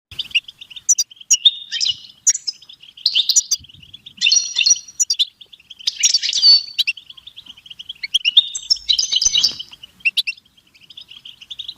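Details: European goldfinch singing a stimulation song, the style locally called batbata: a steady thin twittering run near one pitch, broken every second or so by louder bursts of rich tinkling, buzzy trills and chirps, continuing throughout.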